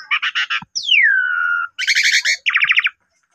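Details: Asian pied starling in vigorous lure song to spur other starlings and show its repertoire; a rapid buzzy rattle, a long whistle sliding steeply down then leveling off, then two fast stuttering trills.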